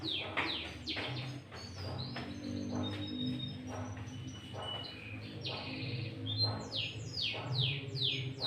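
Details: Sooty-headed bulbul in energetic lure song with green leafbird-style fill, used to call and provoke rival bulbuls; dense bursts of steeply falling high chirps, fast scattered notes throughout, low steady background hum.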